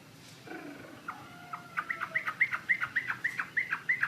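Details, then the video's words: Chinese hwamei singing actively: after a few faint sliding whistles, a quick run of short, loud, clear notes repeats about three or four times a second, each one dipping slightly in pitch. "Burung Wambi Mandarin Gacor Joss"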